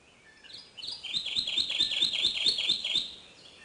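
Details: Kentucky Warbler (Geothlypis formosa) singing in the Ozarks spring dawn chorus, shaded moist forest bottoms: a loud, rolling string of about eight quick two-note churry-churry phrases, steady and bright over faint background hiss.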